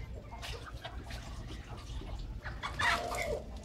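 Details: Several hens belonging to a grandmother, making a lot of noise: short, rough clucks and squawks repeated irregularly, growing louder near the end, with people talking nearby.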